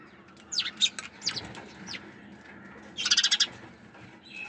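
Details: A few separate downward-sweeping high chips from sparrows, followed by one short, fast pulsed trill and then a faint steady tone.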